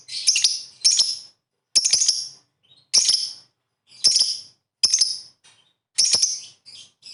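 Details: Lovebird calling in ngekek style, said to provoke rival birds to sing; harsh, high chattering bursts, each under a second long, come about once a second with quiet gaps between.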